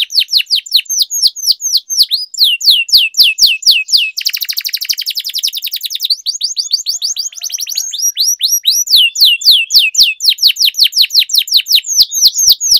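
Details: Loud canary song meant to train young canaries: rapid sharp descending chirps, a buzzy rolling trill in the middle, then a return to quick repeated chirps, with faint clicks throughout.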